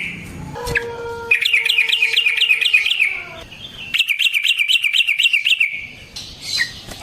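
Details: Yellow-vented bulbul giving a long fighting song as a lure for other bulbuls: a sharp call, then two extended rapid rolling trills of bouncing repeated notes, each lasting about two seconds.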